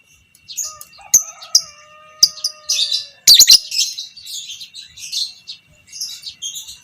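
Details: Creamino-variety fighter lovebird performing long 'ngekek' chatter meant to train other lovebirds; scattered high twittering notes build into a dense shrill burst midway, with a separate pure whistled tone held low in the background early on.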